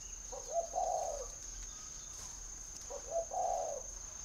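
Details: Spotted dove kept caged in Ba Vì, Hanoi, northern Vietnam, sings two hollow low coo phrases roughly two and a half seconds apart, quick opening notes leading into a sustained wavering coo, over a constant faint high whine.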